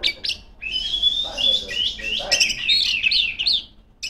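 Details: Female Oriental magpie-robin song meant to call rivals: opening chips, then a long sustained whistle flowing into rapid, tumbling whistled trills before stopping abruptly.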